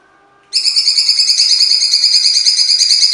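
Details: Cucak cungkok in full harsh song: after a quiet half-second, a loud grating buzz starts abruptly and carries on as a steady, rapidly pulsed rasping trill, about three beats each second, to the end.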